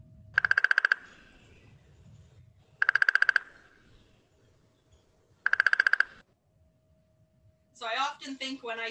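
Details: Downy Woodpecker in winter in Manitoba gives three short, high, rapid rattling whinnies about two and a half seconds apart, a call likened to laughing, with a rougher, wavering sound at the end.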